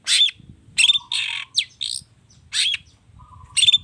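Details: Agitated long-tailed shrike delivering a mimicry-filled lure song for other birds: broad rasping screeches alternate with thin high whistles and a short upslurred note, with a low murmur of background noise throughout.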